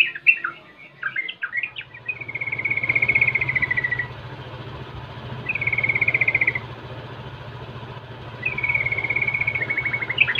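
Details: Rolling lure song of a sooty-headed bulbul, meant to mock rivals and draw replies from other bulbuls; a few chattering notes, then three long steady rattling trills, over a constant low hum.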